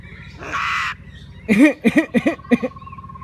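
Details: Pet common myna talking with its owner, mimicking human speech: a broad harsh rasp, then a quick series of four or five loud warbled, voice-like syllables with a faint steady tone behind.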